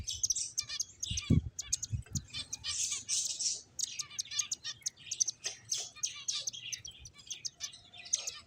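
Several finches chirp busily, with rapid high, thin notes and short buzzy bursts overlapping throughout, plus a few low thumps.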